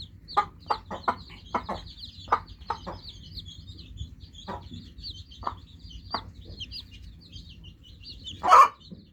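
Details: Chorus of high, quick peeps from newly hatched chicks, continuous throughout. Frequent short percussive knocks come early, then thin out, and a loud rasping burst rises near the end.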